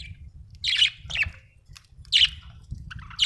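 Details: Happy budgerigar singing, giving bright, scratchy high chirps in three or four quick bursts over a steady low background hum.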